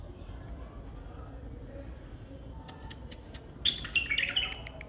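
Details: Sharp clicks tick by before a white-eared bulbul bursts into a brief, jumbled phrase of bright whistled notes near the end.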